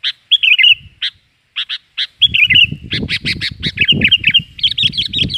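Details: Noisy, lively Sooty-headed bulbul lure sound for attracting birds: slurred whistled phrases and harsh chattering notes, with strong low rumbling noise running beneath the second half.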